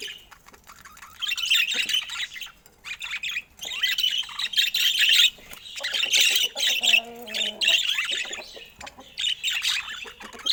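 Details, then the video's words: Pet budgerigars chattering in bursts of harsh squawks and quick chirps, with a brief low harmonic tone near the middle and short quiet gaps between bursts. "Top Cute Budgie Love Vibes with Funny Sweet Sounds"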